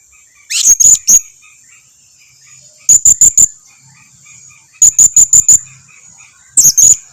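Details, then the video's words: Blue-crowned hanging parrot calling as a lure to draw replies from other birds: tight clusters of three to five sharp, high-pitched tsit notes spaced about two seconds apart, with a faint continuous high whine behind. "Suara pancingan serindit ini dijamin serindit lain yang jarang berbunyi pasti langsung nyahut"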